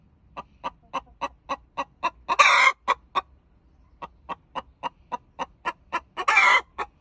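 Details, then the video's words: Egg song of a pet Olive Egger hen after laying: evenly spaced clipped clucks speed up into a loud rasping cry, pause briefly, then build again through rapid clucking to a second harsh cry. "Chicken Clucking after Laying an Egg"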